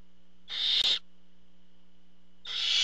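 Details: At a barn owl nest when the father delivers prey: one drawn-out hissing screech with a brief break in the middle, then silence before a second rasping hiss begins; a low hum runs throughout.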